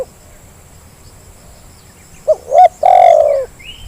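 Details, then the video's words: Zebra dove call used to coax lazy birds into calling, after a quiet start one phrase of quick rising notes ending in a long falling coo, then a faint high chirp. "Suara pancingan terkukur yang malas jadi bunyi"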